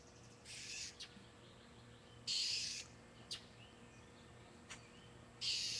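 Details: Agitated blue jay scolding a cat, webcam recording made on a June 2009 afternoon: loud, grating, noisy screams lasting over half a second, given three times at uneven intervals, with faint clicks and quiet background between.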